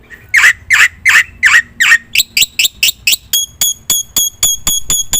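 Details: Black-winged myna, known locally as jalak putih, singing a lure song: loud harsh rasping notes repeated about every 0.4 seconds, shifting into sharper clipped whistled notes in a rapid regular series.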